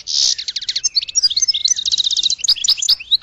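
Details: A goldfinch sings a continuous, lively string of twittering notes, opening with a harsh buzzy burst and running into quick repeated chips and liquid trills.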